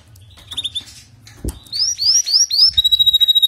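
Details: Canary song aimed at improving a weak singer: a few soft chirps, then a series of rising whistled sweeps leading into a fast, even trill of high pulses.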